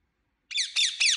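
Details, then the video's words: Indian ringneck parakeet, kept as a pet, giving three quick harsh squawking chirps in a row, each with bright stacked harmonics sweeping up then down, loud and clean against silence. "Super Cute Parrot Sounds"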